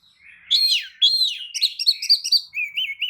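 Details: Kacer, the Oriental magpie-robin, giving a provoking lure song meant to draw answers and tail-fanning from rivals; loud slurred whistles followed by a fast series of sharp chattering notes, ending in wavering whistles.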